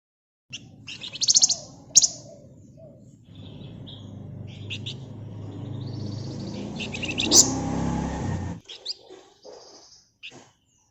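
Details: Flamboyan bird singing ngebren and nyerecet style, used as a lure: high rattling trills at the start, then a long stretch of broad rushing noise with chatter, and scattered high notes at the end.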